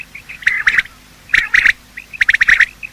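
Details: Quail morning calls, male and female, played for hunting. Three bursts of rapid, squeaky notes, each preceded by soft lead-in chirps, with short silences between the bursts.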